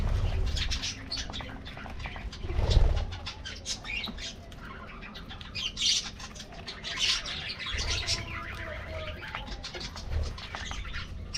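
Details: Aviary budgies feeding on a morning treat: scattered squawks and chirrups among thumps and wingbeats, a loud bump near the third second, chatter continuing over low hum.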